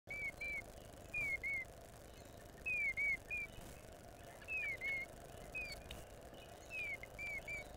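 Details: A female Eastern bluebird, arriving in the early morning on April 14th, 2020, sings nonstop: soft, slurred whistled notes, mostly falling, in short pairs and triplets about every second and a half, over a steady low rumble.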